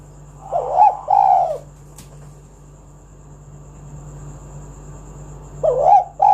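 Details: Spotted dove calling to prompt other doves to sing; a pair of soft rolling coos, a pause with a single click, then another coo pair at the end, with a constant low hum beneath.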